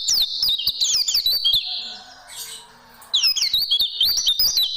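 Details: Oriental white-eye song used as a tutoring recording for training caged birds: rapid high twittering phrases of sweeping, warbled notes, broken by a brief quieter gap before the chatter resumes.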